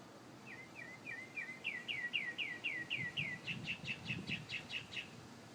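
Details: Unidentified bird singing in the morning near a home: a clear run of repeated downslurred whistled notes, about four per second, shifting through three note types and rising slightly in pitch, over a faint low rumble.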